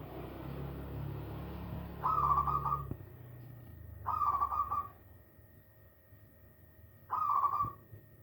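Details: Young hand-reared zebra dove, an only chick, uttering brief rough cooing notes in three spaced bursts, with low rumbling background noise at the start.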